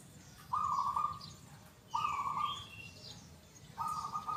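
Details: Local zebra dove (perkutut) in full song, with a big, loud, clear 'kung' voice: three rolling, trilled coo phrases of about 0.7 seconds each, spaced well apart. Faint thin chirps from another bird sit higher above.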